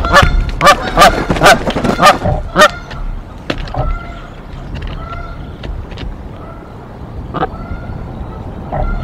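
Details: Canada geese guarding their Decorah tree nest against an intruder goose, April 2024: a burst of loud, rapid honks in the first seconds, then scattered softer nasal calls and an occasional sharp honk over background noise.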